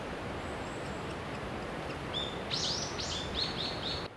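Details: Japanese pygmy woodpecker chicks begging at a nest hole as parents bring food, in the mountains of Shimokitayama village, Nara, Japan, in the May breeding season; a quick run of high, thin chirps in the latter half over a steady background hiss.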